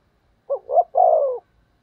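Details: Spotted dove decoy bird cooing intensely to lure wild doves: one phrase of two short notes followed by a long, slightly falling, throaty coo, clear against silence.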